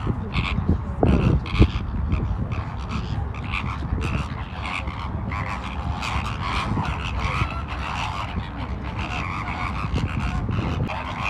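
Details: A dancing flamingo flock at Ras Al Khor Wildlife Sanctuary, Dubai, among mangroves and lagoons: a dense chorus of nasal, goose-like honks repeating rapidly throughout, over a constant low city-like rumble, with a couple of sharp thumps early on.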